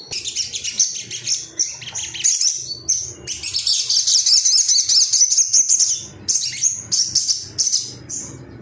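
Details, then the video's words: Agitated male Ruby-cheeked sunbird seeking rivals, pouring out a fast, high, continuous twittering song of rapid chips and trills, about two notes a second at its densest, with brief pauses. "MASTERAN SOGON AGAR CEPAT NGALAS GACOR ❗BAHAN TERAPI SOGOK ONTONG"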